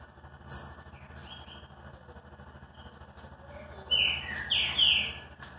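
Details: Green-winged saltator's classic song, heard mostly near the end: after a quiet stretch with a few soft chirps and background hiss, three loud slurred whistles ring out in quick succession.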